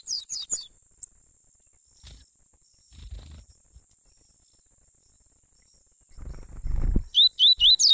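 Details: Double-collared seedeaters, father and son, singing a warm-up (esquenta): a brief burst of high chirps opens, low knocks and handling noise follow, then a fast series of bright repeated notes closes, over a faint steady whine.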